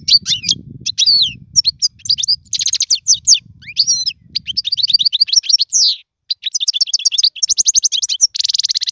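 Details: Goldfinch singing, a recording meant to tutor young birds: fast tinkling phrases, rattling trills and liquid slurred notes run almost without break, ending in a harsh buzz.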